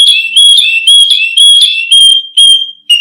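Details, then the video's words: Canary tutoring song for other birds: piercing pure whistles held about half a second each, alternating with slightly lower tones, repeated about twice a second. "Suara Kicau Burung KENARI Untuk Pancingan Dan Masteran"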